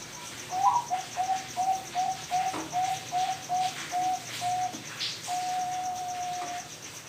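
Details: Zebra dove of the Bangkok line, bred at a bird farm in Pasuruan, East Java, Indonesia, singing a string of short, clear cooing notes at one pitch, about two per second, ending in a longer drawn note. Faint background hiss.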